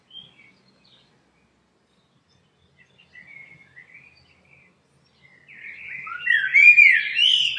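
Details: Blackbird song: mostly quiet with a few soft chirps at first, then a loud, rich warbled phrase with high, squeaky twittering on top, fading at the close.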